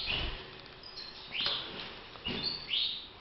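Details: Caged European goldfinch song used for training: a few sharp, upswept chirps and short twitters spaced through the clip, with a soft low thump in the background.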